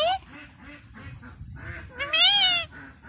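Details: Indian ringneck parakeet kept as a pet, practising the newly taught word 'mami' (mummy): a woman's voice speaks softly first, then the bird gives one loud, rising, harmonic note lasting about half a second.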